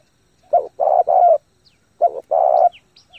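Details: Spotted dove used as a lure bird, giving fast, intense cooing to stimulate and train newly caught doves: short clipped notes followed by a longer, steady, hollow coo, in two phrases about a second and a half apart.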